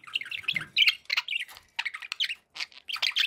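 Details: Pet budgies chirping and warbling in quick squeaky bursts, notes clustered into short phrases separated by brief pauses, with a soft low rustle early on.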